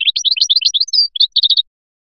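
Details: Biskra goldfinch singing the Felyachi style: a brisk stream of liquid twittering notes, a brief clear whistle, then a compact cluster of chips, very high and clean.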